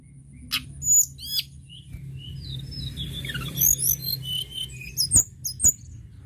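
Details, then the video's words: Mountain shortwing song used to stimulate other birds to sing: scattered high thin whistles, quick chirps and short slurred trills, with louder bursts near the start and a rapid sequence of sharp notes after the midpoint, over a low steady hum. "Tledekan gunung gacor"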